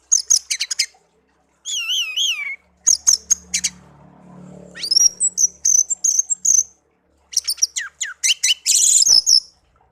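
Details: Hand-raised pet songbird, one year in captivity, delivers a long varied song: quick high chips, wavering warbled phrases, piercing whistled notes and a burst of buzzy chatter, with a faint low hum underneath.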